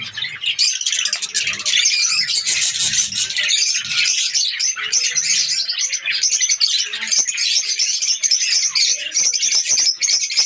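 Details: Budgerigar breeding colony, Pakistan, breeding season: loud steady chorus of high twittering and chirping from numerous birds, dense and unbroken throughout.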